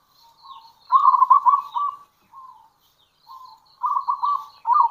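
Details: Local zebra dove calling to lure other zebra doves, with kerot and bekur styles; two bursts of quick trilled coos separated by softer pieces, with faint higher chirping from other birds.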